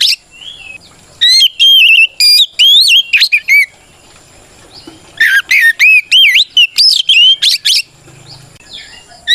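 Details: White-rumped shama in full song meant to challenge opponents and spur other shamas to answer; two bursts of rich whistled phrases, looping upslurs and warbled notes, separated by a quiet gap of about one and a half seconds.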